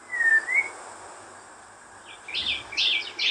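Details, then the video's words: A white-rumped shama in the wild sings one smooth rising whistle, falls silent, then gives a burst of rapid buzzy, chattering high notes, with a low faint rumble underneath. "Kicau burung murai batu di alam liar"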